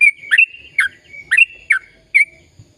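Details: Sooty-headed bulbul song for stimulating silent birds to sing: a handful of clear, ringing chirps, some paired, spaced by short pauses and linked by a thin continuous whistle.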